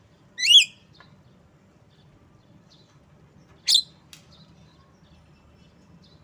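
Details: Asian pied starling (jalak kebo) producing a rising harmonic squawk, then a harsh burst at about three and a half seconds and another at the end, with quiet clicks between.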